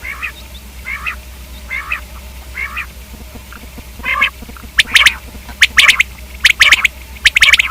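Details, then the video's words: Common quail calling: a run of nasal, harmonic mewing notes about once a second, then sharp clipped notes in pairs and triplets toward the end. "Quail k hobsort awaz|Quail/Batair|Batairawaz"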